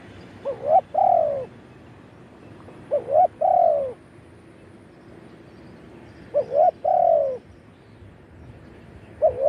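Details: Spotted dove, a decoy bird calling to wild doves, recorded live, cooing in the crowing 'khan yon' style: three low, mellow phrases, each a couple of short hoots ending in a longer drawn-out, falling coo, spaced a few seconds apart.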